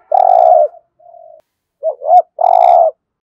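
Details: Spotted dove cooing in the thổ style, used to stimulate other doves to coo: a long low hoarse coo, a soft short note, two quick rising notes, then another long rough coo.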